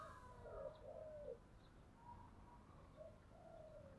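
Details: Spotted dove giving a 'thúc đấu' call to provoke a fight, 'giọng thổ' voice: a low burred coo phrase near the start, then softer, more distant cooing, with steady background noise.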